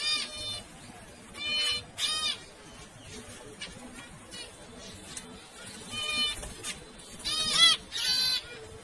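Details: Zebra finches calling with loud, nasal, trumpet-like honks, some doubled, in irregular bursts throughout, over faint background noise.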